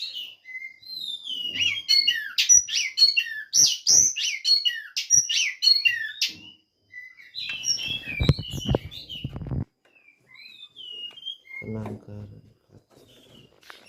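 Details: Captive Oriental magpie-robin at a breeding facility in Banjarnegara, Central Java, singing a fast jumble of high whistles, trills and chirps, with thumps and rattling noise in the middle and faint notes near the end.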